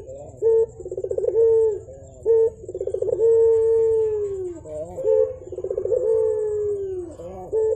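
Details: Javan turtle dove cooing energetically in a steady cycle: a short clipped note, a rapid rolling burr, then a long smooth coo gently falling at the end, repeated about three times with faint low background hum.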